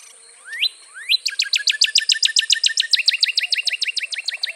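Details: Northern Cardinal: two long rising sweeps, then a long, rapid run of sharp slurred notes repeated several times a second, over a continuous high insect-like whine.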